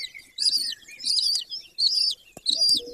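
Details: Golden eagle pair's nest in Bucovina, Romania, 20 May 2024, 09:20. Four loud, high, slurred squealing calls come in a regular series, with a faint lower rising note before them and a brief knock near the end.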